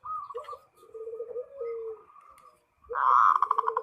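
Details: Zebra dove (perkutut) calling to a rival. Rolling mid-pitched notes and a low gliding coo give way to a loud, rapid buzzy roll that runs to the end.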